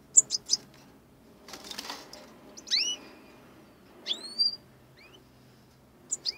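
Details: Four young European goldfinches, just out of the nest together, give thin, high chirps and sliding tweets in scattered bursts, with a brief rush of wingbeats between them.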